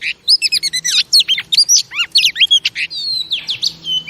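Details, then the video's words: Female oriental magpie-robin, used to rouse male pet birds, sings a rapid, dense stream of loud, varied whistles with sharp up-and-down slurs and high sweeps. The phrases break into quick pulses, over a faint low hum. "Chòe Than Mái Kích Trống"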